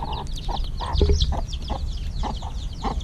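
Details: Week-old chicks fed in the evening give high descending peeps, somewhat fainter here, mixed with regular lower clucking bursts about every half second over a steady low rumble.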